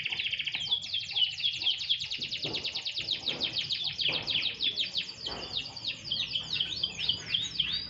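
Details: During a short sunbath a canary pours out a continuous rapid warble: quick high trills and chirps blending together, with occasional sweeping downslurred notes late on.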